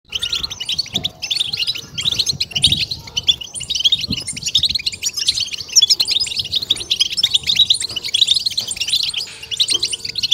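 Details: European goldfinch chorus of the Maghreb 'betbeta' style, used to stimulate and excite kept goldfinches: dense, overlapping high twittering and tinkling notes that run almost without pause, with soft low rumbles beneath.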